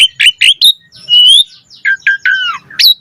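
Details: Asian pied starling gives three sharp chirps, a long rising whistle, then a string of buzzy falling notes and a final sharp upswept call.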